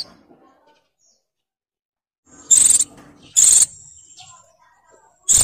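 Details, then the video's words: Oriental white-eye female in breeding condition calling to draw a male: two sharp, very high bursts close together, then a third at the end, between quiet stretches. "PLECI BETINA BIRAHI NGECIR MANCING SUARA JANTAN LANGSUNG GACOR"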